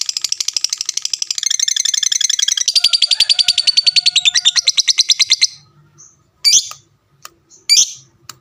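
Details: Fighter lovebird in a long ngekek chatter to draw replies from other lovebirds: a fast, steady rattle of shrill pulses lasting over five seconds that fades out, followed by two sharp squawky chirps and light clicking.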